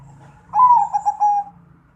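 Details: Perkutut (zebra dove) with a big-voiced 'suara gede' coo: a single rolling, pulsed, low phrase over a constant low humming background.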